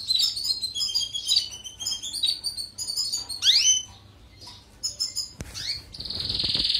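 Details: European goldfinch song played for training canaries: bright, high twittering notes and quick downward-sweeping whistles, with a buzzy sustained passage near the end, over a low background hiss.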